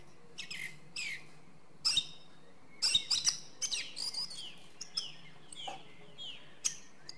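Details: Song thrush singing: a lively run of short, clear whistled notes and downslurred phrases, some sharp and high, delivered in quick bursts with brief pauses, over a quiet low background hum.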